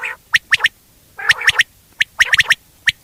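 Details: Common quail calling: sharp clipped notes grouped in twos and threes, with harsh grating bursts at the start and around the middle.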